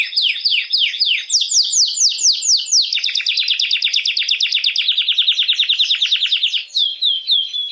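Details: Canary song meant to excite females for mating, opening with downward-slurred whistled notes, then a long, fast, even trill and a few short high chips at the end.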